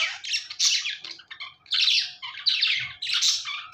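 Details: Budgerigars chirping: busy, scratchy warbling and squawky chatter in bursts, several overlapping voices with short gaps, in a small room.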